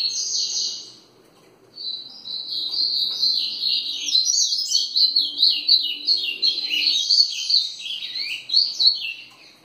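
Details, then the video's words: Double-collared seedeater, called papa-capim, singing in the ferradura style: after a short opening phrase and a pause, a long rapid string of high twittering, slurred whistles and trills follows without a break. "Papa capim grego.. ferradura"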